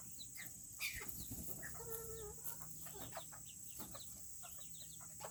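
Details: Several Serama chickens, among the world's smallest chickens, in a coop on a cool Tuesday. A drawn-out harmonic call is clear near the middle. Short chirps and clucks from other birds are scattered throughout, over a steady high hiss.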